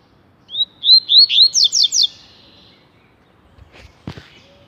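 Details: Rusty-collared seedeater, kept as a papa-capim tui tui singer, delivering a short phrase of rising whistled slurs that quicken into sharp descending notes, then a pause with faint low knocks.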